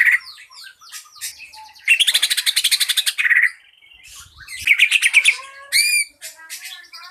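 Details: Green leafbird giving a lure song that prompts other birds to sing: soft twitters build into a long rapid pulsed trill, followed by chattering and sharp upslurred whistles.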